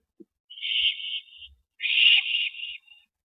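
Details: Owl at a nest as a rabbit is delivered to its mate, April 19, 2012, 8:15 PM: two harsh, hissing screeches, the first about 0.7 seconds long and the second about one second, with a short gap between them.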